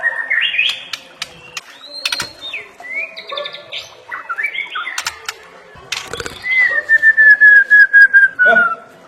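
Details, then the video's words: Varied whistled phrases and sharp clicks from a white-rumped shama, then a long series of clear, evenly spaced notes that slide gently downward in pitch over the last few seconds. "Masteran Murai Batu Full Isian – Bikin Burung Gacor, Fighter, dan Mental Juara"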